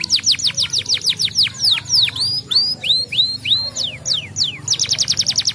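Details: Yellow canary song meant to encourage other canaries to sing, made of repeated downward-sweeping whistles, then upturned hooked notes and slower falling phrases, ending in a fast burst of descending notes; steady low background hum.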